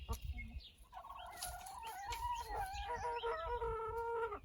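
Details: Backyard rooster making an odd whistling alert-type noise for an unknown reason; sustained level whistled tones with wavering pitch, over low rumbling background noise.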